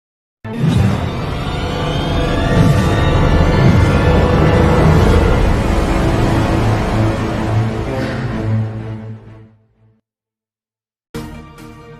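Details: Ominous, dramatic music swells for about nine seconds, fades into silence, then resumes briefly, with no animal sounds.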